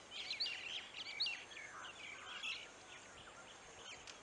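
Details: Black-hooded oriole (Oriolus xanthornus) at a village in Bihar, India, giving a quick series of high, thin chirping notes in short bursts that fade out after about three seconds, over soft outdoor background noise.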